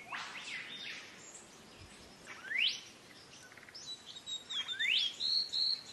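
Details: Green leafbird song, used to train cage birds: loud whistled notes sweeping sharply upward, with scattered chirps and short high whistles against a steady hiss.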